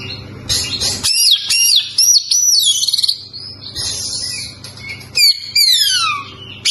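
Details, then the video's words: White-rumped shama, locally kacer, singing a rich varied song of high whistles, rapid chattering trills and descending slurred notes, in bursts broken by short pauses. "KACER BAHAN PASTI TAMBAH GACOR MENDENGAR SUARA KACER INI!!!"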